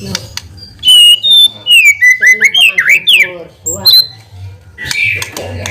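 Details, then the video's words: White-rumped shama lure song intended to trigger a reply: a sequence of clear, fluting whistles rising and falling in quick succession, followed by sharp high notes and a softer closing phrase over low hum. "PANCINGAN MURAI BATU GACOR CEPAT RESPON LANGSUNG BUNYI"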